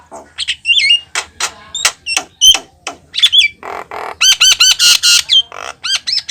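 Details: Javan myna song used as a lure for mynas: loud varied phrases of harsh squawks mixed with sharp whistled notes, some hooked and rising, then a fast series of repeated ringing whistles.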